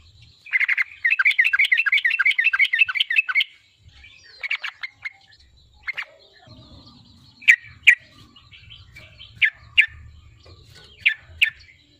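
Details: Sooty-headed bulbul song used to provoke a rival to sing: a rapid bubbling chattered phrase for about three seconds, then scattered short sharp chirps and notes with low background rumble.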